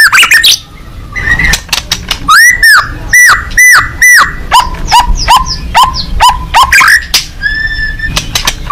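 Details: White-rumped shama, a fighting bird, singing with its beak open: loud repeated arched whistled notes, then a run of downslurred notes, sharp clicks and a long steady whistle near the end.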